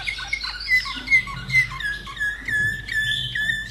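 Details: Slavujar canary hatched in 2011, kept in Austria, singing a short song: clear whistled notes and slurred tones around a steady pitch, with low background hum.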